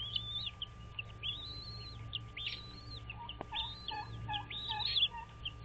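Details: Bald eagle nest on Dale Hollow Lake, Kentucky-Tennessee border, wild birds on a nest camera, 06.03.2023 at 06:05: a string of high arched piping whistles and quick chips, softer lower notes in between, constant hum behind.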